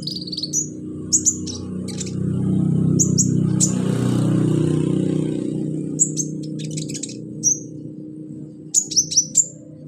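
A Brown-throated Sunbird gives high, thin, sharp chirps in quick clusters every second or two over a steady low hum.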